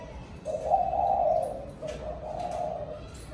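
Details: Spotted dove giving an evening flock call: a long, smooth coo followed after a short break by a second softer cooing phrase, low and steady in pitch.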